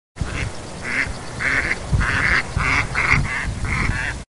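A Mallard gives a run of seven harsh, nasal quacks, roughly two per second, over a low rumble of wind or background noise.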